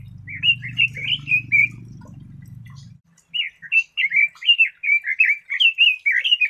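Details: Red-billed leiothrix singing a bright, bouncy warble of short slurred notes in quick succession; a low steady hum fills the first three seconds, then the song continues clearly in two lively phrases.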